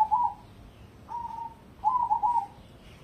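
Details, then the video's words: ['Three mellow, trilling coo phrases from a competition-grade cemani zebra dove, the last longest and most bubbly, with brief silences between and little other sound.'] "Perkutut Cemani Spek Lomba"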